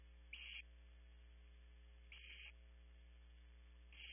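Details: Begging barn owl owlets at a nest at Audubon Starr Ranch, California: short, rough hissing shrieks arriving about every two seconds, flat and breathy, against a steady mains hum.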